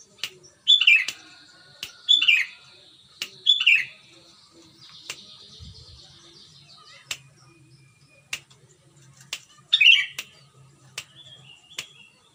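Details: Sooty-headed bulbul singing loudly and clearly near Pengalengan, Bandung, West Java, Indonesia, used as a lure for silent bulbuls: three short bubbly, warbling phrases in the first four seconds, another near ten seconds, amid sharp repeated clicks.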